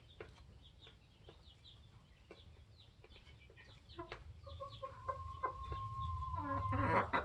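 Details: Polish layer hens aged 21 weeks alongside their protective rooster. Soft, spaced clucks build into a longer steady drawn-out note near the end, joined by rising rustling noise.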